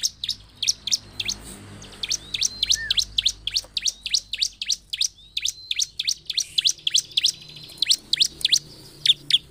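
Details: Bar-winged prinia in full gacor song, meant to provoke rival prinias. A sustained rapid string of sharp, high, piercing chirps, roughly three to four per second, with slightly uneven spacing. A faint thin whistle runs beneath, and a soft low hum sits in the background.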